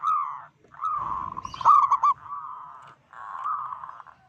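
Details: A local zebra dove calls loudly to provoke rivals, giving drawn buzzy cooing trills separated by short gaps. A burst of rapid stuttered notes sits in the middle.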